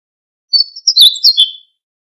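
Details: Siberian bunting delivers one quick, bright phrase of high squeaky notes, about a second long, with no other sounds around it.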